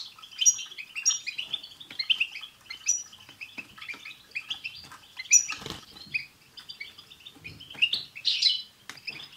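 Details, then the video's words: European goldfinches in a group chorus with tsts calls, meant to prompt a pet goldfinch to sing: dense high twittering and tinkling notes with frequent sharp clicks and rustling, possibly wing flaps, throughout. "بتبتة حسون جماعية رهيييبة مع تستسات تجعل حسونك يغرد في دقيقة"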